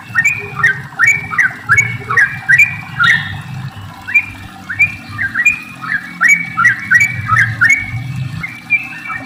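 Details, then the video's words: Sooty-headed bulbul singing long rolling phrases, used to prompt other bulbuls to sing; bubbly whistled notes repeated about two to three times a second in steady runs, over a low rumbling background. "trucukan gacor ropel panjang buat pancingan trucuk agar bunyi"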